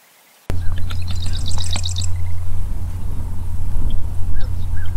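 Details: Marsh wren giving one brief, rapid, buzzy rattling trill of high, evenly spaced notes lasting under a second, after a sudden start. A steady low hum runs underneath throughout.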